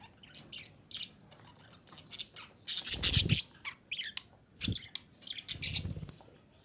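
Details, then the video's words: Calls of a female budgerigar meant to bring other budgerigars into breeding condition: loud, grating squawks and raspy chirps in uneven clusters, with a broad burst near the middle and scattered shorter notes. "DİŞİ Muhabbet Kuşu Sesi - Muhabbet Kuşu Kızıştırma"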